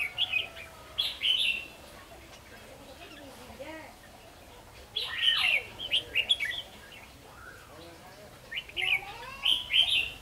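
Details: Red-whiskered bulbul in Vietnam at a fight-trapping setup using a decoy bird: bursts of bright, clipped chirps and quick slurred whistles separated by pauses of a few seconds, with faint lower calls in between.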